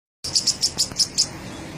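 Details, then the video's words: Orange-headed thrush, a first-place champion, singing in the lively 'gacor teler' style, said to act drunk while singing: six short, high, bright notes in a quick, even run lasting about a second. "Kicau Burung Anis Merah Gacor teller Juara 1"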